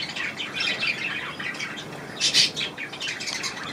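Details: Bathing budgerigars in an indoor budgie room, recorded 25 May 2018, give continuous scratchy chatter with a sharp squawk near the middle.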